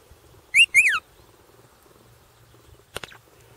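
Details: Pet eastern rosella gives its loud two-note wolf whistle: a quick rising note, then a longer one that rises and falls. A short clatter of knocks follows.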